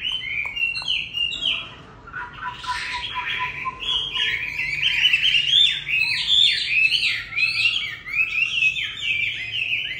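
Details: Chinese hwamei singing before going to a new owner: a loud, rich, continuous run of varied whistled phrases, with rapid slurred notes rising and falling and some sharper repeated elements, over a faint low hum.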